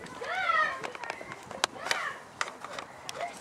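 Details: Eclectus parrot (Eclectus roratus) from the Netherlands giving a harmonic, wavering call that rises then falls early on, followed by softer clicks, knocks and a brief upturned note near the end.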